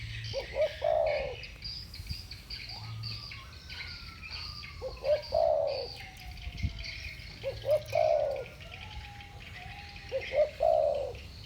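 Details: Two spotted doves of the 'thổ bujson' voice style dueling; scattered two-part low coos recur every few seconds, while thin, long descending whistles from another source cross between them over a faint background.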